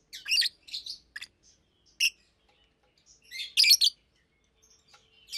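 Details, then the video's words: Daytime chirping by two adult Fischer's lovebirds in a cage: sharp, high squeaks and quick twitters in short loud groups with silent gaps, irregular spacing. "Lovebirds Chirping, Lovebirds Singing - Two Agapornis Fischeri"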